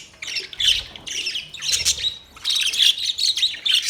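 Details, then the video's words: Budgies chattering almost without pause: clusters of high, squeaky chirps and short squawks, a busy warbling stream broken by brief gaps. "Budgies chirping sound"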